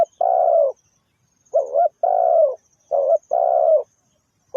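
A spotted dove gives mellow, low hooting coos in short paired phrases, a brief note then a longer drawn coo, repeated steadily against a quiet background.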